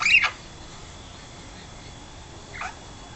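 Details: Pet princess parrot, 12 weeks old, giving two short, harsh squawks: a louder one at the start and a softer one about two and a half seconds later, with quiet room background in between.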